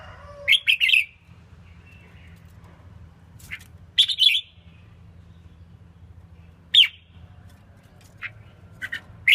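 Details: Caged female red-whiskered bulbul song used to rouse males: brief bubbly warbled phrases spaced by pauses of two to three seconds, some reduced to single sharp notes, over a quiet steady low hum.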